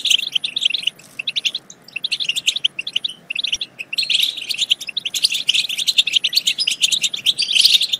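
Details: European goldfinch song used to stimulate goldfinches to sing and mate: fast, tinkling twitters and chirps in dense bursts with short pauses near one and three seconds, then continuous liquid twittering.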